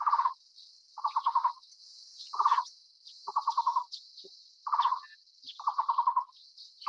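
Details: Taiwan barbet, an endemic Taiwanese forest bird, repeating low, rapidly pulsed hollow trills about once a second, some phrases longer than others, against a loud constant high-pitched insect hiss.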